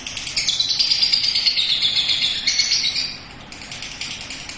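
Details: Young lovebird still learning, tried out on a porch, in ngekek: a long, rapid, shrill chattering trill that holds steady for about three seconds, then eases into softer, looser chatter.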